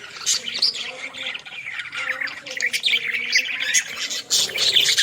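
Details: Village recording of budgerigars, known locally as Australian parrots: dense, overlapping high warbling chatter with scratchy squawks, continuous throughout and louder near the end.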